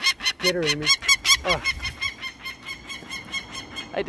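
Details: An adult female peregrine falcon, mother of three nestlings, gives a harsh, rasping cack-cack-cack alarm at about two or three notes a second as people rappel down a river bluff to take her young for banding in 2021, with a brief human voice early on.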